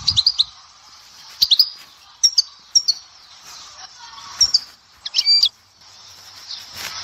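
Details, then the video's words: Sparse, high, clipped twitter notes from a goldfinch of the Dahouara sector, Souk Ahras, given in short clusters separated by pauses over a steady hiss, with one louder buzzy note near the end. "تغريد حسون سيكتور الدهوارة سوق اهراس"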